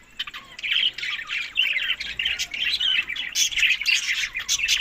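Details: Budgerigars eating summer food, May to June, tagged Larkana, Sindh; harsh squawky warbles and chirps crowd together in nearly continuous chatter.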